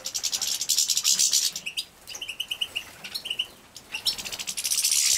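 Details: Captive-bred goldfinch young being fed, Poland 2017: buzzy begging bursts at start and end, with a run of clear short high chirps from several birds in between.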